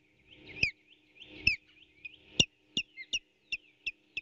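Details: Osprey calling at its nest, 8 April 2018, while an intruding bird repeatedly tries to steal a delivered fish. Loud, piercing whistled chirps come in quick series, some rising then dropping, roughly twice per second toward the end.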